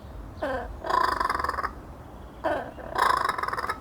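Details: Laughing kookaburra chuckling in two loud bursts, each a short rising note followed by a rapid string of harsh, throaty pulses, with a quiet pause between them.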